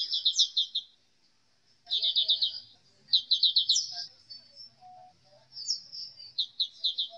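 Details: ['Black-capped white-eye singing in spaced bursts: quick runs of bright, high trilled notes lasting under a second each, separated by brief pauses, with faint low background sounds.']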